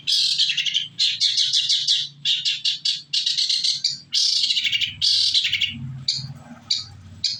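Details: Lure song of a shrike (cendet) to draw answers from other birds: harsh, buzzy bursts of scratchy chatter in blocks of about a second, separated by short pauses.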